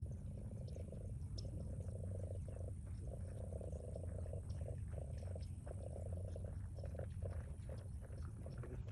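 Sandhill crane giving a low, throaty gurgling rattle in repeated bursts about every second, over a steady deep rumble of wind or background noise.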